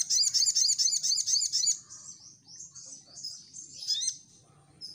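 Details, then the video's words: Lively crimson sunbird song used as a response lure: a loud, fast run of sharp, very high chattering notes for nearly two seconds, then softer, thinner twittering phrases with occasional rising whistles. "Di Jamin Respon Sogon Langsung Nyaut | Burung Sogon Gacor"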